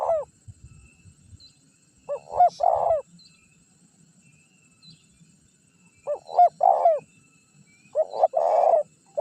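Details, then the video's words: Spotted dove lure recording used to draw wild birds and provoke rivals to call. Paired coos, a short note then a longer rolling one, come in three bouts separated by quiet gaps, with faint low rumbling underneath. "Suara Pikat Terkukur Gacor Juara 1 Untuk Pancingan Cepat Bunyi"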